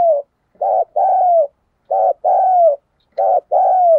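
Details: Spotted dove giving 'thúc gù' urging coos and 'gáy gọi' calling coos, played to lure wild doves. Three two-part phrases: a short throbbing note, then a longer mellow coo that slides downward. Quiet background.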